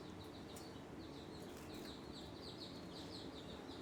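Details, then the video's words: Java sparrows fighting give a steady run of short, high chipping notes, several per second, during a scuffle, over a low background hum. "Java sparrow fighting"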